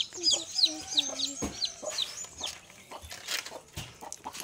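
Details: Hen with her chicks: thin, high chick peeps at irregular intervals over a few soft, low, drawn-out clucking notes, with scuffing and background noise.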